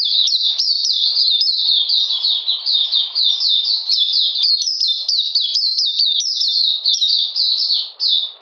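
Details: Oriental magpie-robin song recorded in cold rainy weather on 13 June 2020: high, piercing whistled notes sliding downward, rattled off one after another in a sustained, uninterrupted rush.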